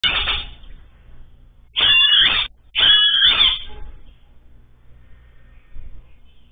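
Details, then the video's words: Great kiskadee in Brazil calling repeatedly, giving two loud, harsh, strident calls less than a second apart, each about three-quarters of a second long, against a quiet background. "Bem Te Vi Chamando muito"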